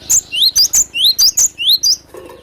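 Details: Wild cinereous tit recorded for luring birds: bright upward-slurred whistles paired with piercing high squeaks, repeated rapidly around eight times before a short low rustling sound.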